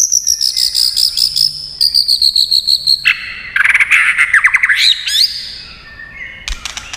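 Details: White-rumped shama singing hard in combat, tail flicking: a fast pulsed high trill in two bursts, then a lower warbled run with a rising sweep, followed by sharp clicks.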